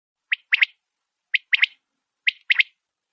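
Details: White quail (batair), a rare pale variety kept for its looks, giving a sharp three-part call: a single note then a quick double note, repeated about once a second, clean and without background noise.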